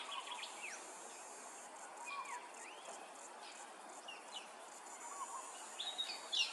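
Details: Brown honeyeater at Hervey Bay, Queensland, giving scattered, quick slurred whistles, some rising and some falling, over a steady insect hiss and background rush.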